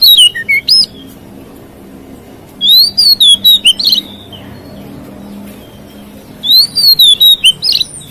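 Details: White-rumped shama singing to provoke other shamas: three bursts of loud, clear whistled phrases, sliding and arching notes with sharp chips, separated by quiet pauses of several seconds.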